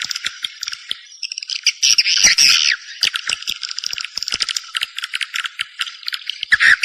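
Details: Call meant to lure swiftlets to a nesting house: fast, irregular high-pitched chirps and buzzy twitters from several birds, swelling into a louder burst around two seconds, then fading back to scattered chirping.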